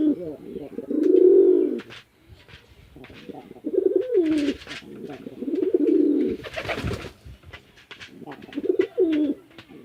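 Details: Male and female pigeons fighting on a pigeon farm in Chittagong District, Bangladesh, give deep, throaty coos in rolling bursts every two to three seconds, with scuffling and wing noise between them.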